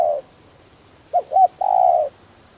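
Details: One full coo phrase from a spotted dove decoy with a 'đồng' voice, used to draw wild doves into calling. Two short notes precede a long, level coo, and the end of a previous coo opens the recording.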